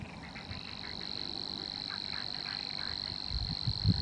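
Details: A Savi's warbler at Poça do Vau delivers an unbroken, fast, insect-like buzzing reel at steady pitch, with faint chirps from other birds and low rumbling thumps near the end.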